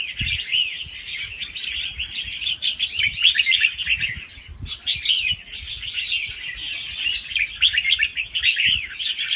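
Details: Young red-whiskered bulbul from the wild, song played to stir other caged birds into singing: a fast, continuous run of bubbly warbled phrases with quick notes and short pauses, with low thumps and handling noise beneath.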